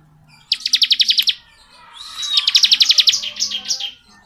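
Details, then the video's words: Long continuous ngebren song of the ciblek, or bar-winged prinia: a tight burst of quick high chips, a pause, then a longer, slightly uneven run trailing off. "BURUNG CIBLEK NGEBREN PANJANG"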